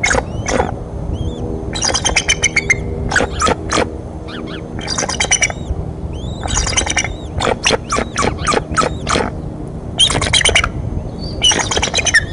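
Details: At a Decorah nest on 30 March 2015, a mother eagle's outburst startles her two eaglets: loud bursts of harsh, squawking, chattering notes in clusters a second or two apart, with thinner high whistled chirps between them.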